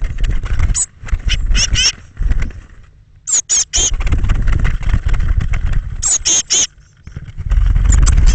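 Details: Thirteen Eurasian blue tit chicks fledging from a nest box between 06:00 and 08:00 on the morning of 21 May 2017 give thin, very high squeaky calls in short clustered bursts every second or two, over a constant low rumble.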